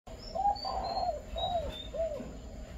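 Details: Spotted dove giving the five-note coo style: soft, low, arched hooting notes, one drawn out longer in the middle, spread over about two seconds. A faint high steady tone runs behind.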